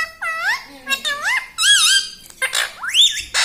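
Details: Pet parrot talking, mimicking human words, said to say "mummy": a rapid chain of swooping voice-like syllables with clear rising and falling contours, speech-like rhythm, six or seven phrases in three and a half seconds.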